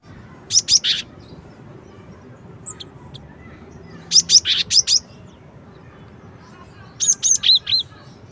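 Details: Cinereous tit singing one of its song variations: three short bursts of sharp, high chirps, two or three notes at a time, separated by pauses of about three seconds against a quiet background.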